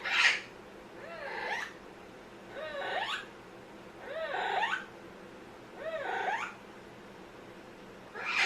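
An Amazon parrot gives six nasal, mewing calls, each bending up then down, spaced about every one and a half seconds, over a quiet indoor background.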